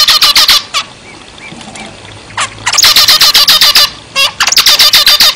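A zebra finch gives rapid bursts of nasal, buzzy notes, about three or four a second. The notes sound like a toy trumpet and come in quick runs with brief pauses.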